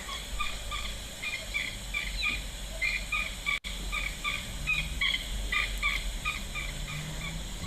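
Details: Blacksmith Lapwing at an African waterhole on the morning of 1 August 2025 gives loud, metallic, clinking notes repeated rapidly, several a second, over a steady low outdoor rumble; it sounds possibly distressed about something.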